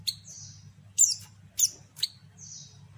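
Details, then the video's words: Rapid, high, thin chirps and short slurred whistles from a female white-eye, several within three seconds, above a low hum. The call is used to provoke males into calling. "panggilan pleci betina sangat ampuh buat pancingan pleci bahan"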